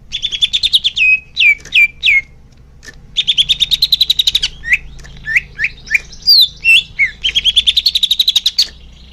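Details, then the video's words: Leafbird song used to train young birds: rapid buzzy trills alternating with loud downslurred whistles and bright upslurred notes, sung without a break. "suara kicau murai daun untuk terapi burung bakalan"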